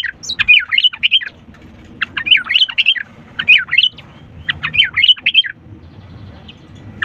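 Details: Sooty-headed bulbul in energetic song, used as a lure for reluctant singers: fast, bubbly runs of warbled whistles delivered in four tight bursts about one second apart, then quieter at the end.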